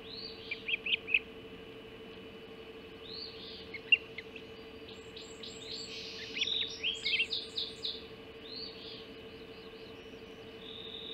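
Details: Hog Island Ospreys at the nest, 04:50 on 30 June 2016, with mackerel delivered for breakfast; rapid chirps and whistles build into an excited run of short, repeated high notes, then fade to one long whistle, over a low hum.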